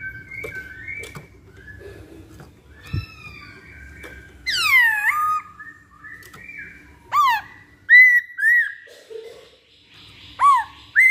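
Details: Masked laughingthrush, called poksay hongkong, used as a lure bird: loud clear whistled phrases, some sweeping steeply down then up, others short rising and falling notes at irregular intervals, with quieter chattering between and faint room noise.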